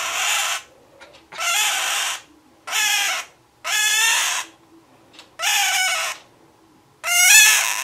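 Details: Six harsh, buzzy cries, evenly spaced roughly every second and a quarter, from a caged male scarlet-chested parakeet crying while his mate sits beside him; otherwise quiet.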